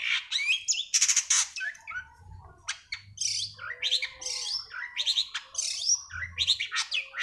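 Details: Long-tailed shrike singing, used to coax a caged bird back into song: rapid, varied chattering and whistled phrases with buzzy bursts, accompanied by intermittent low hums.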